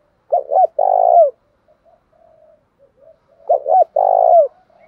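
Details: Spotted dove, a country-type ("thổ đồng") cooing dove, cooing a low, hollow phrase: two short coos then a longer drawn-out note, repeated about three seconds later; quiet murmurs between.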